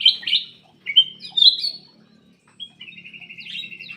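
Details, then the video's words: Lively black-crested bulbul song meant to set off silent birds: loud fluty whistles, a brief pause, then a rapid rattling trill on one pitch, with a faint low murmur behind. "PANCINGAN BURUNG MALAS BUNYI CUCAK EMAS \ KUTILANG EMAS GACOR"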